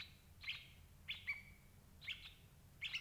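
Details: Sooty-headed bulbul call recording meant to lure parent birds into traps. Short, rich chirps are spaced about a second apart, some with a brief level tail, over a quiet low hum.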